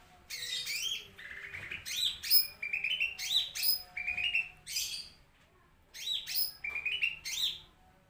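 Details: Lesser green leafbird from a tutor recording delivering loud, varied whistled phrases with up-slurred and down-slurred notes in quick succession, a short pause near five seconds, then another rich burst of whistles.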